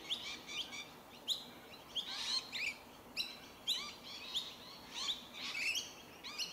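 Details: Rainbow lorikeets feeding on tree violet berries in suburban Melbourne, Victoria, Australia, in January 2021; a flock gives harsh, screechy chattering calls in short bursts, overlapping and repeated through the clip, over faint background hiss.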